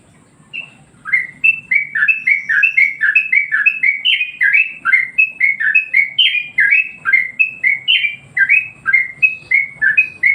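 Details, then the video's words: Yellow-vented Bulbul master song for training birds and rousing them: a long, lively stream of bubbly whistled notes, tightly packed and repeated over ten seconds, mellow and rolling, over low background noise. "masteran burung Trucuk bikin emosi burung yang lain"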